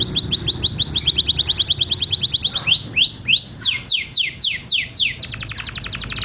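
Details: Mating song of a canary: a quick, regular trill of high chirps, then several broad downward-sweeping whistles repeated at a slower pace, ending in another rapid roll over a low background hum.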